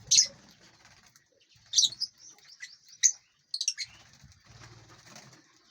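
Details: Lovebirds in an aviary, eating and flying. A few spaced, sharp, high chirps stand out over a soft, steady background of faint bird noise.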